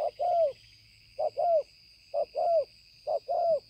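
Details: Spotted dove kept as a decoy bird, 5 September 2020: four crisp paired coos, a quick first note and a drawn-out downward-curving second, evenly spaced about a second apart, with a faint high whine behind.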